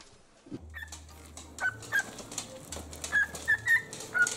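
A cockatiel gives short, clear whistled notes, mid-high and slightly rising, spaced irregularly about every half second, over a low steady hum.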